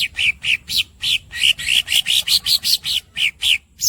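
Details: Greater green leafbird squeaking: a steady series of sharp, bright, upward-sweeping squeaky notes, roughly four each second, in the masteran song.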